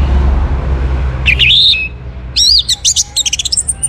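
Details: Orange-headed thrush singing as a lure to set other birds singing: a slurred rising whistle, then a pause and a burst of bright phrases ending in a fast chattering trill.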